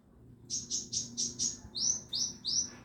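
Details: Oriental magpie-robin, a caged contest bird in Indonesia, giving eight short high chirps at an even pace, the first five buzzy and clipped, the last three sharper upslurred notes.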